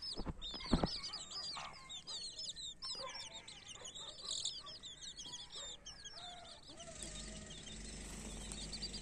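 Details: Mother hen with baby chicks: a loud burst of wing flapping at the start, then many high, thin chick peeps with occasional low clucks. Steady background noise rises toward the end.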